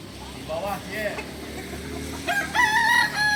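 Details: In Solok, kukuak balenggek roosters at a practice crowing session: soft short notes early, then a bright, sustained, stepped crow rising in the final second, over steady low hum.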